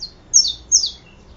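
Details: Saffron finch, known locally as canario da terra, giving two bright, high, quickly falling notes about half a second apart, with a fainter short note after them and a quiet background.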